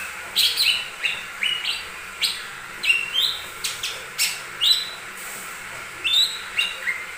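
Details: Lesser green leafbird singing to provoke other birds: quick whistled notes alternate with sharp clicky bursts, slurred upward and downward, in an uneven rhythm of about two notes per second.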